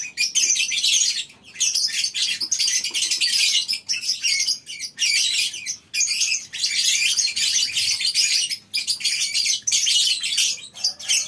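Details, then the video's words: Colony-housed lovebirds on a breeding farm in the morning. Their shrill, buzzy chattering comes in surging bursts of one to two seconds, separated by brief pauses, with many birds calling together. "Suara Love bird"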